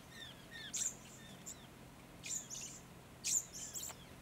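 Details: Little lorikeets visiting an artificial pond in the Capertee Valley, New South Wales, in mid-September 2019; thin, very high, sharp metallic squeaks in three short clusters, with softer faint whistles from other birds behind.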